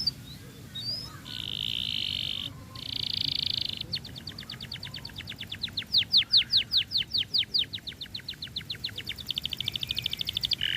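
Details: Canary song used to set other canaries singing: buzzy trilled phrases, then a long run of loud repeated sharp notes, finishing with a very rapid fine trill.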